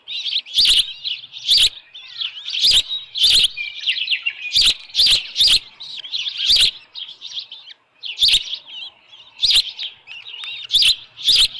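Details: At the Dunrovin Ranch nest on 10 June 2018, 6:41 PM, an osprey holding a headless fish gives a long run of shrill, piping chirps in uneven bursts, with a short pause near the middle and sharp clicks between some notes.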